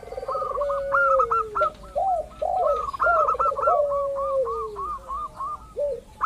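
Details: Local zebra dove lure to draw out other calling doves: a dense overlap of rapid repeated clipped notes and lower warbling coos that slide downward, going on throughout.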